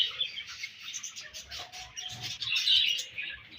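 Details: Budgerigars eating their favorite food, giving a steady stream of soft, warbling chirps and chatter, high-pitched and busy, with brief scratchy notes and quiet clicks in the background.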